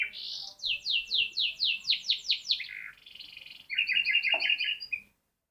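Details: Canary singing an unusual song: a fast series of about ten high, downward-sweeping whistled notes, then a short buzzy rattle, and finally a bright rolling trill that ends abruptly, recorded indoors with little background noise.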